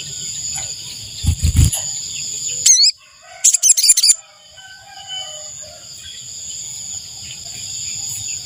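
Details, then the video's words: Ashy tailorbird calling, played to lure wild birds: a short sharp note, then a quick burst of high, clipped chirps. A steady high insect drone runs throughout, with a brief low thump near the start. "Suara burung sogon untuk pikat"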